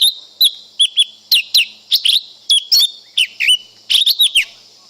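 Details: Lesser green leafbird song: a rapid run of sharp, high chirps and short whistled slurs, several dropping in pitch, delivered in quick bursts about every half second over a quiet background.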